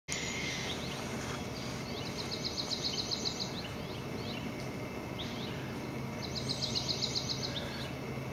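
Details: Very vocal white-tailed kite chicks that have just learned to fly, leaving and returning to the nest, give two bursts of rapid, high chipping notes and a few scattered single chirps over steady background rumble and hiss.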